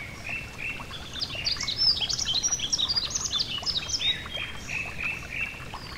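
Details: Yellow-throated bunting singing beside a gentle stream: a dense, hurried jumble of high chirps and short down-swept whistles, strongest in the middle, against a background of running water.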